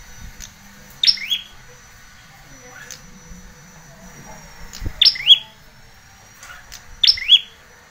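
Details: Bar-winged prinia, a tutor and lure recording for training young red-headed birds: three loud, high chirped phrases, each a sharp note sliding into a rising buzzy sweep, spaced about every two seconds, over faint low background hum.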